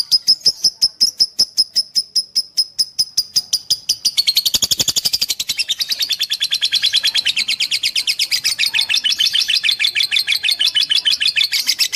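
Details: Fighter lovebird masteran used as training audio for lovebirds. Evenly spaced piercing chirps give way to a quicker, denser, buzzy chattering trill that runs to the end.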